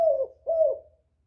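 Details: Spotted dove luring others, two soft hoarse coos, each gently falling in pitch and fading.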